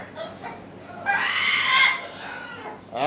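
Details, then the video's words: Umbrella cockatoo giving one loud, harsh, raspy screech lasting nearly a second, rising in intensity before breaking off, with quieter rough calls and faint background noise before and after. "UMBRELLA COCKATOO"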